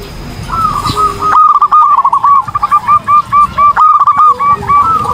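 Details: Zebra dove singing actively, used as a training song for other birds: after a quiet start, a fast run of short, soft, hooked cooing notes at steady mid pitch, with a lower drawn-out note early on and faint background noise.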